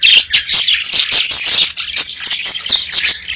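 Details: Pet budgerigars in a lively burst of shrill chirps and scratchy warbling, notes tumbling rapidly and overlapping, with sharp clicks between them.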